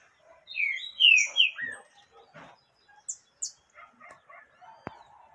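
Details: Female yellow-bellied seedeater, calling to stir up a male, gives a few loud clear whistled notes sliding down in pitch, then falls to soft scattered chips and faint clicks.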